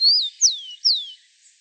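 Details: Rufous-collared sparrow singing in the wild: three clear, high whistled notes, the first gently rising then dipping, the next two sharp slurs falling steeply in pitch, delivered within just over a second against a quiet background.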